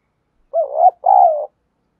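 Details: Lure coo of a spotted dove in the local field-voice style, played to stir and train wild-caught doves to fight. Two hoarse, mid-low cooing notes, the second longer and gently falling, in a clean, quiet recording.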